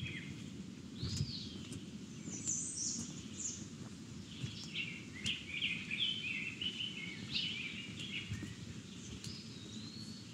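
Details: A Rose-breasted Grosbeak, a bird of mixed and deciduous forest, sings rich, warbled phrases likened to a robin singing opera, rising and falling quickly in a sweet, fluid run, over a steady low rumble of wind or background noise.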